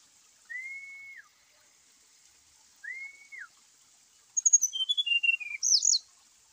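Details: Brown-chested jungle flycatcher song used to rouse caged birds that stay quiet. Two drawn-out steady whistles, then a fast run of piercing notes stepping down in pitch, ending in a short, bright, twisting phrase.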